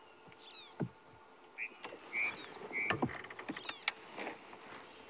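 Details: Red-billed buffalo weavers in a tree at sunrise on 23 February 2016, Sabi Sand, South Africa, recognised by their calls: short, sharp whistled notes and chattering sweeps from a group.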